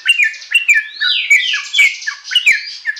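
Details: Young sooty-headed bulbul in a full-content tutor song: chattering, slurred whistles with rising sweeps, delivered in quick bursts roughly every half second.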